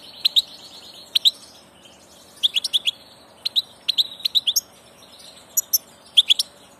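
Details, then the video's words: European goldfinch on passage, singing bright tinkling bursts of quick chirps and twitters at high pitch, grouped in clusters of two to five notes separated by short pauses, over a quiet background. "Jilguero del paso"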